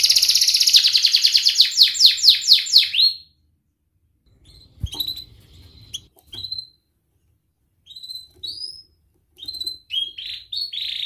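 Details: Canary song in ngerik and ngerol styles, used for training juvenile canaries: a fast, dense high trill of rapid repeated notes, then silence and short scattered upslurred chirps after pauses.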